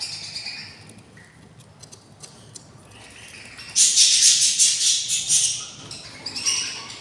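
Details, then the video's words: Budgerigar nest at day 24 with six hungry chicks: soft scattered clicks and rustles, then a loud prolonged burst of harsh, sizzling begging rasps pulsing for about two seconds. "couple budgies nest, 06 eggs , 06 eggs hatched, and 06 beautiful chicks are very hungry / day 24"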